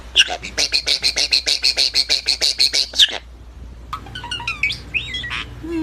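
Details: A pet starling, a skilled mimic, gives a fast run of about sixteen rasping, clicky notes, then bright whistles and squeaky, sliding mimicked sounds.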